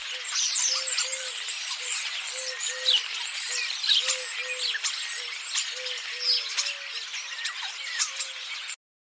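Starlings chatter busily in a dense mix of whistles, clicks and wheezy squeaks, over a row of short, low, hollow notes repeated about twice a second.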